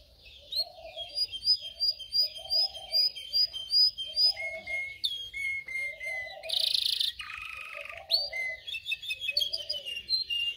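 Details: Singing canary used to train canaries to sing: a string of repeated whistled notes, then long flat tones and a loud buzzy roll, ending in rapid bright chirps, with low gurgling notes pulsing underneath.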